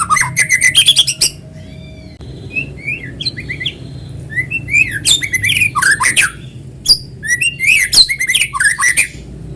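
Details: Long, varied song of a white-rumped shama, used as a lure for other shamas. Bright whistled phrases and harsh chattering bursts come in several spells, with soft drawn-out whistles and arching notes between them.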